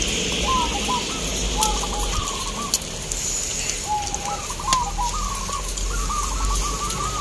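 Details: Several caged zebra doves (perkutut) give soft cooing phrases, short runs of quick notes ending in a rolled coo, at a crowded, sunny local dove-singing contest in Baratan, Boyolali, Central Java, Indonesia. Crowd hum and clicks sound behind.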